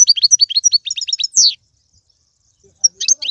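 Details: European goldfinch singing in Algerian tiwawati, galoubi and serfati styles: a rapid run of high, sharp twittering notes, then a drawn-out slurred note, a pause and a fresh burst of chirps.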